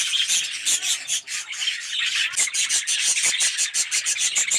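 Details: Aviary colony of yellow, red-eyed budgerigars giving a steady wall of shrill chirps and squawky warbling, with sharp repeated clicks and squeaks cutting through the overlapping voices.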